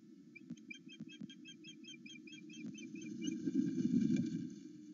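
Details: Morning at a Loch Arkaig osprey nest, one bird excited at its mate's return: a rapid series of ringing whistled chirps with a few knocks, fading after three seconds as louder rustling and wind take over.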